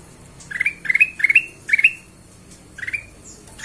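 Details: Ruby-throated bulbul sound meant to lure other birds into singing: four quick, rising, slurred chirps in a row, a pause, then one more, over a quiet background.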